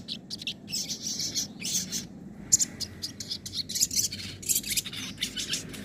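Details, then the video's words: Sogon singing nembak and ngobra song types for training other birds: dense, high-pitched chattering phrases broken by short gaps, with a steady low hum underneath. "masteran suara sogon nembak & ngobra"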